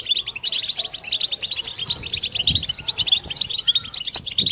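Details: Many European goldfinches twittering at once, a collective battbata played to cure a bird's silence and encourage mating song; tinkling, high trills and chips crowd together without pause, a soft low thump near the middle.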